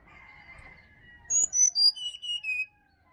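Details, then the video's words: Wild sirdadu (Black-winged flycatcher-shrike), Bali forest, morning lure recording: a soft level whistle gives way to about six strong, pure notes sliding downward in a stepped series over roughly a second and a half. "SUARA ASLI HUTAN SRDC BALI"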